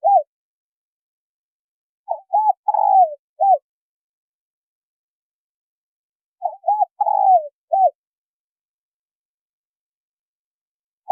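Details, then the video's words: Spotted doves, a male and a female, calling in two matching phrases roughly four seconds apart. Each phrase has brief mellow coos, a drawn-out falling coo and a short closing note. Silence fills the gaps, and another coo starts at the very end. "Tiếng chim cu gáy trống mái thổ kích bổi"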